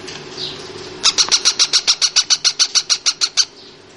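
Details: Female baby parrot calling indoors: a soft faint note, then a steady series of about sixteen short, high, raspy chirps at a quick even pace, ending abruptly after a couple of seconds.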